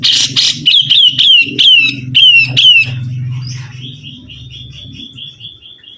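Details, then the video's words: Sibuntung bird in vigorous song: a harsh opening burst, then a string of loud, downward-slurred whistled notes about every half second, fading into a faint high trill over a low hum. "BURUNG SIBUNTUNG GACOR"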